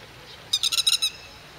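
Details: Grey-headed lapwing with chicks in the rain: a single burst of five or six sharp, high, clipped notes in quick succession, over a soft steady background hiss.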